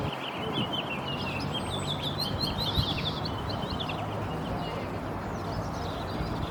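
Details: House finch song: a fast, jumbled warble of high chirping notes for about four seconds, over a steady rushing background noise.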